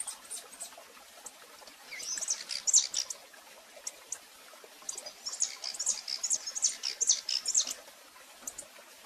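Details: High, thin chirps from a female rufous-collared sparrow calling a lot, recorded live in Brazil. Two clusters of rapid notes are heard, the second longer and steadier, with low background hiss.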